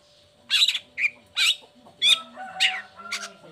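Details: Long-tailed shrike, uncovered and vocal, singing to coax lazy or moulting shrikes into song. Harsh, squawking buzzy notes come roughly every half second, loud and grating.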